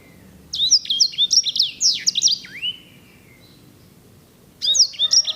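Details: Edel/Herda sanger canary singing, a breed valued for its lovely rolling song. Brisk series of high chirping, swooping notes ending in a longer down-slurred whistle, a silent pause, then the song resuming.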